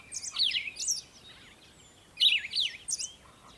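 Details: Birds chirping in the morning at sunrise, giving two bursts of rapid zigzagging high twitters separated by a pause of over a second, with a faint background hiss throughout.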